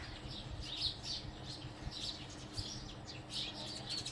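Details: House sparrow chirping: short, bright, high chirps repeated irregularly about every half second, some overlapping as if several birds call together, over a steady low rumble of background noise.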